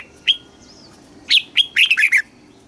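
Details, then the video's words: Red-whiskered bulbul, Thailand, southern master-song style meant to rouse caged birds and teach young birds: a lone chirp, a long pause, two sharp notes, then a rapid bubbling run of warbled notes. "เสียงนกกรงหัวจุก สำหรับต่อ หรือ เปิดให้นกคึก"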